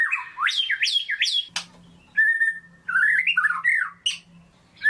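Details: White-rumped shama kept as a pet, singing to stir a silent shama: a few harsh squawky notes with rising whistles, a sharp click, a held mid whistle, then warbling slurred phrases.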